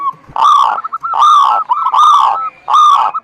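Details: Zebra dove song used as a lure to prompt a quiet, reluctant bird to sing: loud, rounded, mid-pitched coos in four swelling phrases roughly one per second, each linked by short clipped notes, over a clean, silent background.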